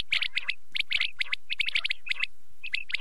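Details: Quail (batair) calling at night, from a night-time cassette: crisp, clipped high notes in quick bursts of two to four, several voices overlapping, brief gaps between bursts.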